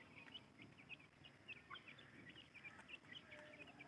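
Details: Grey francolin chicks giving a quiet, continuous series of thin, high, short peeps in quick irregular succession over a steady hiss of background noise.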